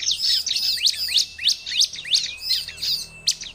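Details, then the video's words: Vigorous Bar-winged prinia singing used to attract wild birds: bursts of high, scratchy chirps around three per second, overlapping bright notes, and a faint steady whistle in the background near the end. "KOMPILASI suara ciblek untuk pancingan ciblek dan suara pikat ciblek || ciblek gacor"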